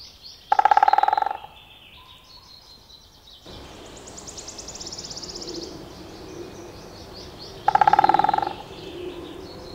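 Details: Great spotted woodpecker drumming: two short, very rapid bursts of hard knocks, each under a second long, several seconds apart, with thin high bird notes in the background.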